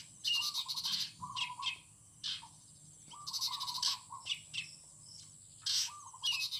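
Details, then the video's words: Birds singing in the morning in a garden at Mộc Thủy: bright chirped and trilled phrases in bursts about every two seconds, with lower warbled notes between them and a steady high insect-like whine throughout. "Chim hót buổi sáng"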